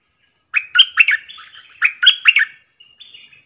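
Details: A bulbul used as a decoy bird sings many different songs. Two rapid bursts of liquid, whistled notes run together into rolling phrases, each ending in a softer fading note.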